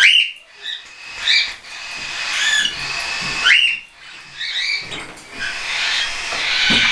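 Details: Young hand-tame cockatiels, weaned and not yet weaned, flying indoors on 10 September 2012; clear rising whistled calls and chirps repeated every second or so, with several birds calling over a steady background hiss.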